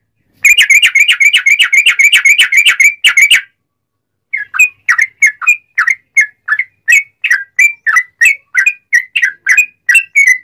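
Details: Sooty-headed bulbul giving a long rapid-fire song, played as a lure to get other bulbuls singing: a fast, even burst of clipped whistles for three seconds, a pause, then slower separate whistled notes, about two per second.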